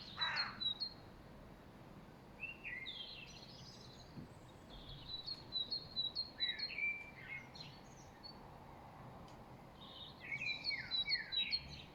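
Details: Spring birds chirping in the late afternoon, dated 5.3.2023, with a common blackbird said to sing loudest: scattered bright whistled and chirped phrases from several birds, some falling, some trilled, in bursts over a steady background hiss.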